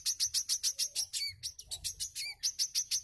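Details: Wiceh song used for tutoring other cage birds: a fast run of very high, sharp chipping notes, about six a second, broken by a few slurred whistles.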